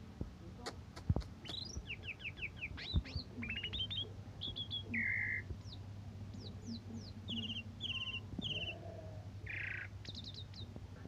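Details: Asian pied starling song, morning and evening, offered as a model for teaching other cage birds; rapid series of falling chirps, sharp clicks, a flat whistle, repeated buzzy rattles and a closing hoarse burst, with constant low hum behind.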